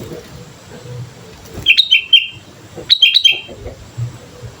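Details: Sooty-headed bulbul in full song, recorded as a training lure: two brisk phrases of slurred, bubbling whistles about a second apart, with soft low background noise.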